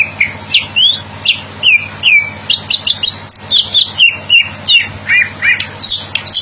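A Greater green leafbird pours out a fast, varied run of sweet slurred whistles and chirps, several notes each second, high and bright, over a faint low hum.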